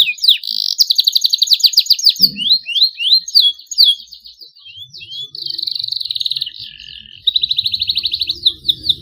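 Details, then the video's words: Young canary learning to sing, starting long rolls: fast stuttering trill, then a string of rising and falling whistled notes, followed by two sustained buzzy rolls separated by a short gap, with faint low rumble. "KENARI PAUD BELAJAR BUNYI SUARA MULAI NGEROLL PANJANG"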